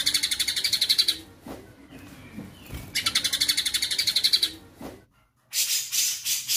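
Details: Two rapid rattling bursts of high repeated notes from a white-rumped shama 'tembakan' combination, separated by quieter rustling and clicks, followed by a loud broad-band chatter.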